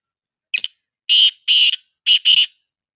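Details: Black partridge, or black francolin, calling as training audio to make other partridges answer: a clipped opening note followed by paired rasping, buzzy phrases, two long then two shorter, against total silence.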